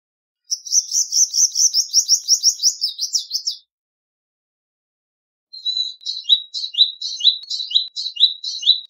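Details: Palestine sunbird song: a fast, rattling high trill for about three seconds, then a separate phrase of repeated downslurred twittering notes, roughly two to three per second.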